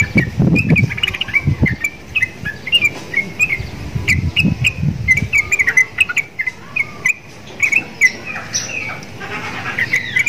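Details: Caged sooty-headed bulbul in full song, said to resemble the black-winged starling it is kept beside; short bright chirps repeated in spaced bursts, with low thumping knocks in the first half and quieter gaps between phrases.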